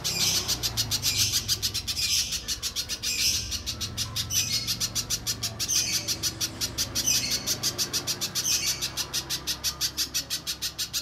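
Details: Little spiderhunter, used to lure others into song. Sharp high chips repeat rapidly for the whole stretch, swelling every few seconds into denser bursts, over soft low background noise.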